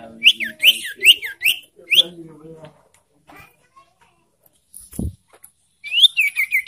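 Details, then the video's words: Lure call of an ashy tailorbird, used to rouse birds in breeding condition: repeated clipped notes that rise then drop, then a gap with a dull thump, then a rapid rising and falling whistled series. "Memancing emosi dan Merangsang birahi burung sirtu"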